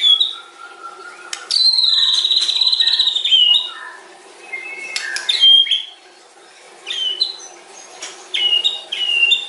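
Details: A white-rumped shama (murai batu) performs a long, varied song full of imitated fill. There is a long, steady, high whistle, then clipped clicks, stepped whistles and short slurred phrases with pauses between them.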